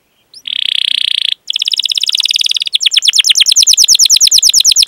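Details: Canary training song used as a lure: after a short pause a steady buzzy high trill, a brief break, then a rolling run of descending chirps that grows louder and more spaced.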